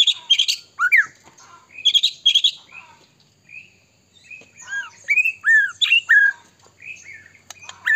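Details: White-rumped shama in full song, used as a lure to provoke other shamas into singing: loud varied phrases of rich whistles, sharp chattering notes and rising and falling slurs, delivered in bursts with short pauses.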